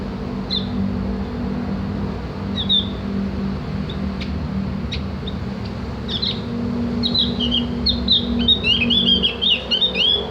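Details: Javan grey-throated white-eye, called opior jawa or cak gentong, in tutoring audio for ngriwik chattering. Scattered high squeaks and clicks open, then turn into a lively run of twittering chirps, with constant low engine-like rumble behind.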